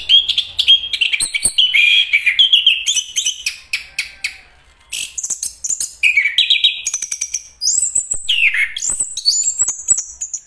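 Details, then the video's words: Varied Chestnut-capped thrush song with warbled mid-pitch phrases, a short pause, then bright high whistles and swooping slurred notes. "anis kembang bang jago nyanyi"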